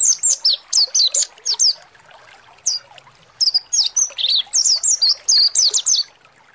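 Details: Mountain white-eye (pleci monty) song used as a lure to provoke a bird to sing; quick high whistled chirps in bursts, a short pause with a single note, then a longer run of sharply falling whistles.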